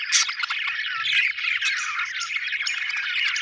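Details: Budgie chirping as an unbroken run of buzzy, warbling chatter, with scratchy squeaks layered throughout and no pauses.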